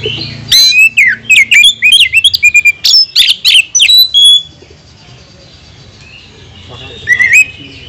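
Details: Oriental magpie-robin song used to provoke other magpie-robins: fast run of loud, varied whistles, slurs and chips for about four seconds, then near silence broken by one short rising whistle.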